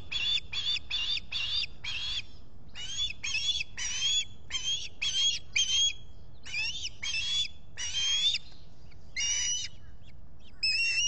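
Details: Squawking osprey at a Salt Point nest in the Finger Lakes, US, July: near-continuous series of loud, high, piercing, slightly whistled squawks, evenly paced at first, then in uneven clusters with brief gaps, over a low rumbling background.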